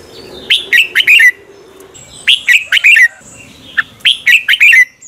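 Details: Red-whiskered bulbul in morning contest song, used as a lure to train other bulbuls to sing. The bird repeats the same bubbly phrase of four to five warbled notes three times, about every two seconds.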